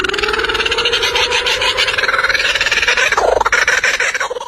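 A kookaburra gives a loud, raucous laughing chatter of rapid harsh notes. It runs without a break and rises into a wilder cackle near the end.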